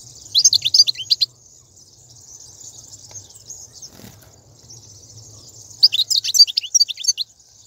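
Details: Wild goldfinch batbata from 2019, meant to get a caged goldfinch singing: a fast burst of bright twittering notes, then a long stretch of faint continuous high buzzing, then a second rapid twittering burst, over a low background hum.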